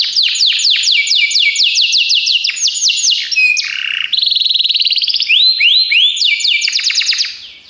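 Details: Belgian canary song used as a training recording for canaries: loud, continuous high rolling trills of rapid descending sweeps, switching between tours every second or so, with buzzy flat passages and rising whistled notes.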